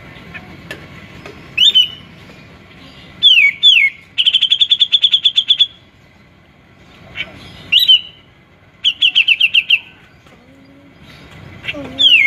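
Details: Grey-cheeked bulbul, described as singing busily and fond of eating ant pupae; loud clear whistled phrases, some rising, and fast rattling bursts of repeated notes, separated by pauses of a second or two, over faint background noise.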